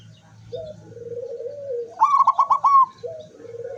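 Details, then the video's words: Zebra dove song recorded 24 September 2023, beak open: a drawn-out low vibrating coo leads into a sharp, higher staccato trill of about six pulses, then a low coo starts again. "suara perkutut sampai buka paruh"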